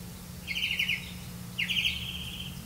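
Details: Grey-capped greenfinch catching crickets to feed its young; two buzzy, trilled notes about a second apart, each a rapid rattle of short pulses, over steady low background hum.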